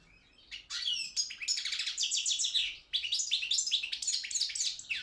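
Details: Balkan goldfinch, Carduelis carduelis balcanica, singing in a world championship held online by a Serbian breeding association; rapid liquid twitters and tinkling notes run together in a long dense phrase, brief pause, then more chattering.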